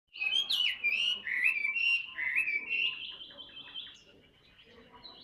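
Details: Tame caged Chinese hwamei, a large, handsome bird described as singing a great deal, delivers loud whistled phrases that slide up and down, ending with a long, steady, slightly rising whistle that fades out.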